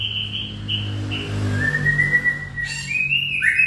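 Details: White-rumped shama warbling: sustained clear whistled notes, a few high flat tones followed by long gently rising whistles, over a low steady background hum.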